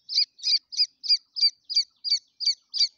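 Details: Grey francolin chicks give high, thin peeping chirps, about three each second, in a steady, slightly burry series, with nothing else heard.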